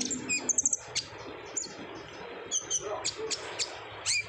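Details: Olive-backed sunbird lure song: a quick trill of high ticks early on, then scattered thin chirps spaced about half a second apart, intended to stir other sunbirds into singing.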